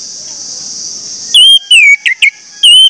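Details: Orange-headed thrush lure song to make other thrushes sing quickly: loud slurred whistles and two short sharp notes over a continuous high, insect-like buzz.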